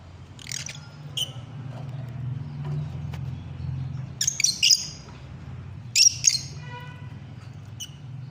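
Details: Lovebirds trading sharp, high squawks and chirps in scattered bursts, one call trailing off in a descending harmonic tail, with a constant low background hum.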